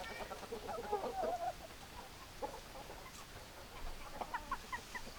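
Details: Hens in a farm flock clucking, a run of short warbling clucks early on, then scattered brief clucks and chirps from several birds over low background noise.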